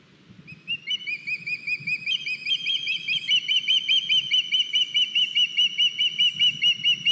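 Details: Ospreys in Estonia, 9 August 2021, filmed on a nest live cam as one of the young lands with a large fish: a steady, loud series of high whistled chirps, about two or three each second, rising in intensity.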